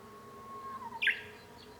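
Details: Japanese bush warbler singing, heard from a room at home on 5 May 2013: a long, level, low whistle held for nearly a second, then a brief loud burst of higher, quick notes.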